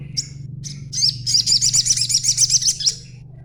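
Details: A young green-plumaged crimson sunbird chattering to provoke other sunbirds into answering: a couple of short high chirps, then a fast, even trill of piercing notes lasting about two seconds, with a faint low hum beneath.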